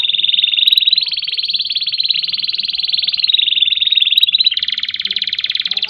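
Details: Canary singing a long ngerol roll: a loud, continuous, rapid rattling trill sustained for the whole six seconds, steady in pitch with a slight change of texture near the end.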